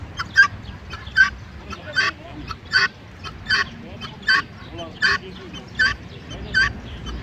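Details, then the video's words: Guineafowl calling: loud, harsh, rhythmic two-part cries repeated steadily about every 0.8 seconds, each a grating burst with a squeaky accent, over a low background rumble. "Beç Tavuğu Guinea Fowl"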